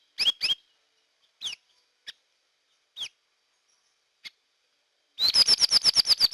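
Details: Hair-crested drongo, a lure sound: a double chirp, a few well-spaced single notes, then a fast, even rattle of about a dozen high chirps.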